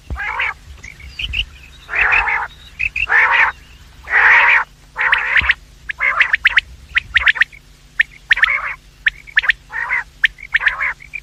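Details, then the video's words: Quail calls from morning and evening, for luring quails: long, harsh, buzzy rasps alternating with bursts of quick sharp chips, roughly one call a second. "The best sound of quails in the morning and evening , bater ki awaaz,batair ki awaz,Bedananing ovozi"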